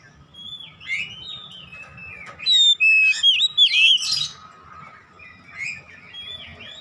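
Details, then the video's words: An Oriental magpie-robin (kacer) gives 'ngeplong gacor' song for home bird training: quiet twittering phrases, then a loud cluster of sharp whistled notes and falling slurs in the middle, softer warbling afterwards, a low hum beneath. "NGEPLONG GACOR KACER"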